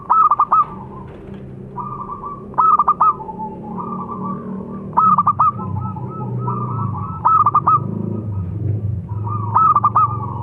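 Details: Local-type zebra dove song: quick stuttering clusters of bright notes, each trailing into a drawn-out mellow coo. Repeated about every two seconds, with low rumbling noise growing in the background.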